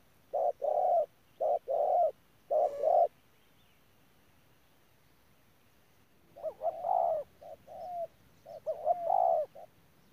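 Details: Ground decoy spotted dove at Đức Cơ: three even coos, a long silence, then a more wavering, slurred run of cooing notes of varied length.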